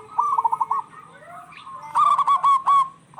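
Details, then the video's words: Local zebra doves calling back and forth, a lure to set stressed doves singing: a quick string of soft coos, a faint rising glide, then a louder burst of four ringing notes. "Suara perkutut lokal gacor bersautan paling cocok pancingan perkutut lagi stress"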